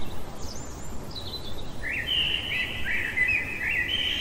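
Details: In the middle of the night a common blackbird sings: a few high, thin squeaky notes first, then a rich, continuous fluty warble filling the last half, over low steady noise.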